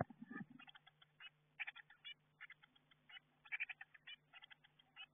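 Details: Eurasian blue tit chicks in a garden nestbox, close to fledging, heard through the nestbox camera. Clusters of quick, clipped chirps repeat in short bursts over a faint constant hum, with a brief rustle at the start.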